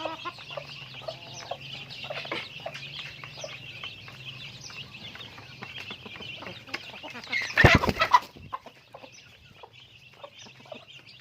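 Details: Chickens busy with daily activity, with rapid high peeping and soft clucks repeated over and over, interrupted briefly by a loud rattling clatter before the chatter resumes.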